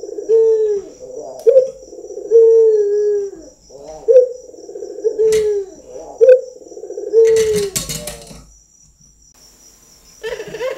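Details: Cooing of a trained local Barbary dove: low, rolled notes and sustained, sliding coos repeat in a steady rhythm, with a burst of fluttering noise near the end.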